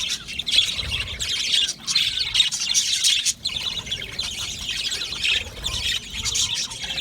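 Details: Budgerigars in a colony aviary produce overlapping high chirps and scratchy squawks in waves, with brief pauses between bursts.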